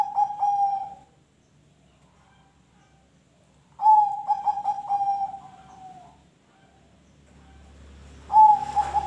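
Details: Zebra dove song used as a lure to prompt other birds to sing: bursts of low, mellow cooing notes, quick stuttered beats running into a drawn-out falling coo, repeated after silent gaps, with faint low background hum.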